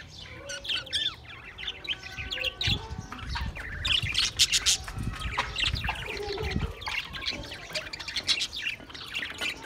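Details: Budgerigars recorded on 28 April 2023: dense overlapping chatter of warbled notes, short squawks and quick chirps from several birds, with louder bursts throughout and some low background rumble.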